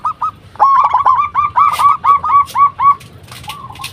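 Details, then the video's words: Zebra dove of a local strain, recorded as a lure to draw replies from other doves, giving a quick string of about a dozen staccato coos, four per second, then falling quiet. "Perkutut Lokal Gacor RAJA PIKAT Ahlinya Bikin Semua Burung Perkutut Pada Nyaut"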